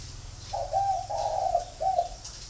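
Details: A spotted dove from a captive flock in Ba Vì, Hanoi, Vietnam gives one full cooing phrase: several throaty, slightly rolling notes run together, then a brief gap and a final short coo. The background is quiet.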